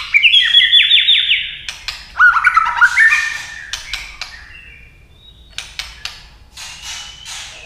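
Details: Female white-rumped shama singing and giving tak calls to excite males: bright whistled phrases with rapid slurred notes and trills in the first three seconds, then scattered sharp clicks and short whistles, fading toward the end.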